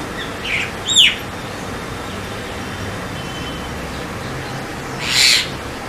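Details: Javan myna call sequence: a quick chirp leading into a clear curved, descending whistle, a long quiet gap, then a single harsh, scratchy burst near the end, all over faint background hiss.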